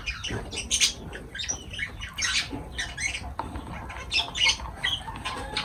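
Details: Lovebirds while feeding utter harsh, high squawks and chirps in irregular clusters, some notes ringing brightly, over a faint background hum.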